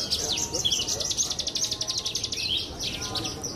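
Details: Contest Javan bush lark with pied blorok plumage produces a fast, high, rattling trill of evenly repeated notes, with a few lower chirps and faint talk behind.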